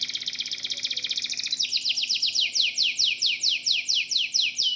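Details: Local domestic canary singing a rapid fine trill that shifts into slower, strongly downward-sweeping whistled notes spaced about half a second apart.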